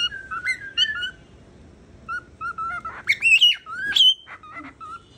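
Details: Pet cockatiel known for saying its name, producing clear whistled notes and sharp rising squeaky phrases with brief pauses between.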